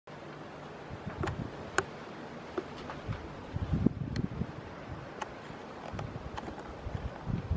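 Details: Wind rumble and rustling with scattered sharp clicks and knocks, and no animal call.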